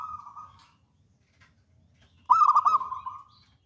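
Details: Local wild zebra dove in full song: a soft trailing coo, a pause, then a loud burst of bubbly, rolling notes running into a steady, even trill at the same mid pitch.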